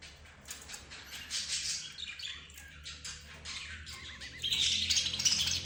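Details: Budgerigars, zebra finches, canaries and another cage bird: soft scattered chirps and squawks, then a louder dense stretch of high twittering and quick trills near the end over a low hum.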